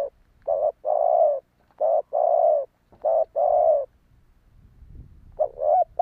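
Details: Cooing spotted dove, used to attract wild doves. Three phrases each pair a short coo with a longer steady note, repeated in quick succession. A pause with soft background rumble follows, then a new phrase begins.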